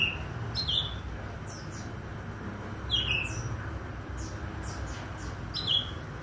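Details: Morning song of an Oriental magpie-robin: three separate bursts of clear, falling whistles with fainter high chirps between them, spaced over a few seconds above a constant low hum.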